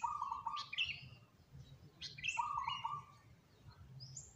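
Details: Zebra dove among three selected diligent singers utters two purring, trilled coo phrases about one and a half seconds apart, with bright rising chirps from other birds above.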